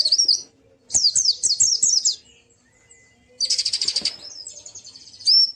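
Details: White-eye singing, used to coax a quiet bird into song: a quick run of high zigzagging notes, a pause, then a dense buzzy rattling trill ending in a rising whistle.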